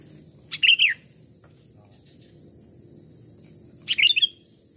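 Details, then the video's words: Sooty-headed bulbul, one of two kept lure birds of small and large types aged two to three years, giving two separated bubbling whistled phrases about three seconds apart in a forest setting. "tes mental dan suara saat di hutan 2 jenis Burung Kutilang"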